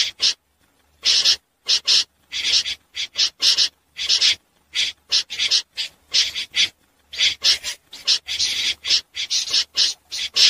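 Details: Common snipe calling at night, a recording used as a lure for net trapping: short harsh rasping notes, loud and dry, in irregular bursts with brief silent gaps, roughly two dozen notes over ten seconds.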